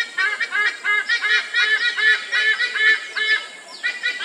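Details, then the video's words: White-bellied sea eagles calling at Sungei Buloh Wetland Reserve, Singapore, after popping; loud, nasal, honking notes repeated rapidly, about two or three per second, in a steady overlapping series. "White belly sea eagles calling"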